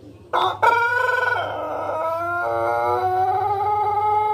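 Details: Pelung chicken, an ornamental, non-fighting breed from Indonesia with a distinctive voice, gives one long drawn-out crow after a short opening note. The crow is rich and harmonic, holds steady, then steps lower and trails on for several seconds over a low hum.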